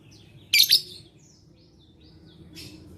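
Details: Lovebird voice, 11/4/21, offered as a lure to get lazy lovebirds singing: a loud doubled screech, then soft high trailing notes and a faint raspy burst near the end.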